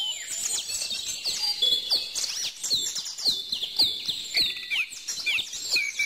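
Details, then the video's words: Lively bird chorus of high, thin chirps and slurred whistles, many voices overlapping without a break, plus soft ticking noises. "bird song"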